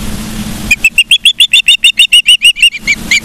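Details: Live-cam ospreys in Charlo, Montana, 15 September 2023, 12:55: after a moment of low rumble, a rapid series of bright, piercing chirps, about three a second, continues to the end.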